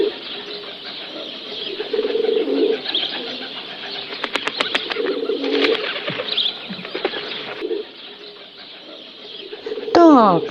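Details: A pigeon, a bird that winters locally, gives soft, low, rolling coos in a few separate phrases, with a burst of wing claps in between and a brief higher sound at the end.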